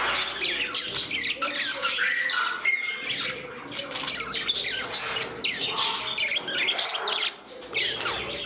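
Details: Pet budgerigars at home, one becoming temperamental while jostling for a spot beside a companion; continuous busy chirps, harsh squawks and warbled chatter, with a short quieter gap near the end.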